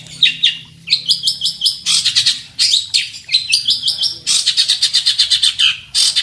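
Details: Fighting long-tailed shrike (centet) in active, full masteran mimicry song, challenging for an opponent: fast varied phrases of stacked high chirps alternating with dense scratchy trills, delivered in quick bursts with brief gaps.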